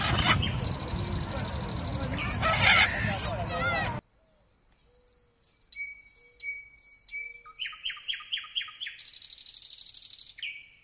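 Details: Loud broadband rustling noise for the first seconds, then a nightingale sings clearly: soft low whistles, high downslurred notes, a repeated flat whistle, a series of rising sharp notes and a buzzy trill ending on a whistle.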